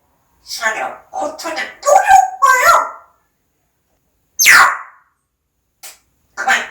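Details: Household parrot producing human-like words in short clustered syllables, then a single loud downward-sweeping squawk and brief chirps, indoors.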